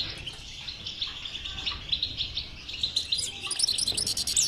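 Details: Goldfinch batbata song to encourage a silent European goldfinch to sing: steady chattering twitter that grows louder and ends in bright, very high tinkling trills.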